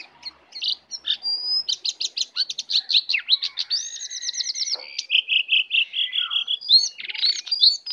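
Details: Song of a wild Oriental magpie-robin approaching aggressively: varied whistles and fast trilled runs, a series of arched notes, then repeated lower slurred phrases in a quick rhythm.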